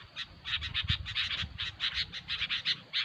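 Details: Noisy calling of sooty-headed bulbul: a steady stream of rapid, rasping notes pulsing several times per second throughout, with faint low rumble underneath.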